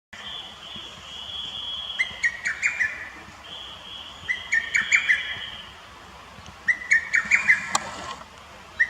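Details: Lesser cuckoo singing on 21 May 2018 at a botanical garden in Akita City, Japan: loud staccato phrases of five or six quick notes, heard as "ho-to-togisu" or "tokkyo kyokakyoku", repeated three times, with a steady higher whistle-like tone between phrases.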